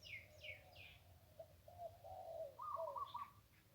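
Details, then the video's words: Several quick, high, falling chirps from another bird open the recording, then a wild zebra dove by the Ping River sings a chain of soft rolling coos rising into bright trilled phrases. "นกคูอ่างเจ้าเสน่ห์ริมปิง ได้นกโล่ง 1กุกขันเพราะๆ"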